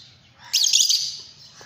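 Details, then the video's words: One Fischer's lovebird screech: a single loud, piercing, slightly warbling high call lasting about half a second and tailing off, against a faint low hum. "love birds singing songs"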